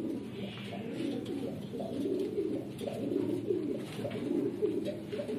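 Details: Continuous low cooing from Red Lahore Siraji pigeons, a fancy breed: pulsing throaty notes about once a second under faint background hiss.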